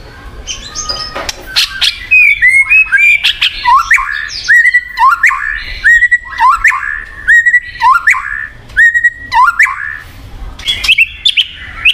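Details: Murai batu, or white-rumped shama, song played to get a silent bird singing: repeated clear whistled phrases each rising then dropping, about one per second, mixed with sharp clicks and harsh notes.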